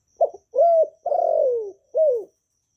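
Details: Vietnamese spotted dove, a kept bird, calling, thúc and gù coos that owners play to push newly caught doves to start singing. Four low coos: a short note, a longer hoot, a long rolling purred coo, then a falling final coo. Otherwise quiet.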